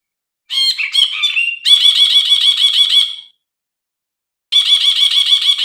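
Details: Bulbul named brinji, played as a lure to restart singing in silent birds: varied opening notes slide into a quick, grating chatter of repeated pulses, a pause follows, then another rattling burst begins.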